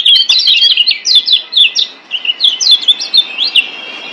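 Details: Yellow white-eye from Lombok (kecial kuning), master song played to prompt silent caged birds to sing: quick clusters of high, sharply upslurred chirps, about four per second, with a short dip midway.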